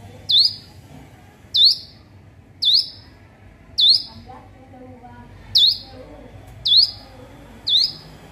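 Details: Hill prinia learning to sing, repeating a loud, sharp, upward-sweeping chip roughly once a second, seven times, in quiet surroundings with faint background murmur.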